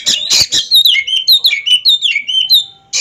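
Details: Oriental magpie-robin, a ringed caged bird in a head-to-head song duel, delivers a series of clear, whistled notes that slide downward, about four a second, after a burst of clapping at the start.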